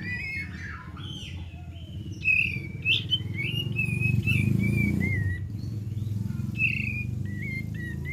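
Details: Olive-winged bulbul song recorded for use as a lure, short liquid whistled phrases around the upper-middle range, slurred up and down, over a steady low rumbling background noise that swells in the middle.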